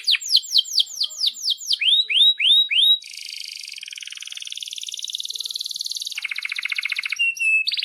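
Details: Canary singing as a master for young canaries: repeated descending sweeps, then four rising whistles, then a dense buzzy rolling trill that shifts lower and ends in short whistles.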